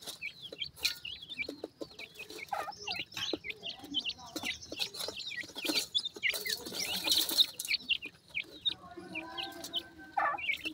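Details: Several pheasant chicks peeping for their mother during feeding, a busy stream of high, down-slurred cheeps overlapping one another, with scattered clicks and rustling handling noise throughout.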